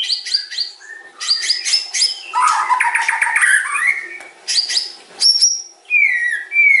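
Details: White-rumped shama, or murai batu, singing varied phrases: quick high notes, a buzzy chattering run, then clear downslurred whistles with pauses between them.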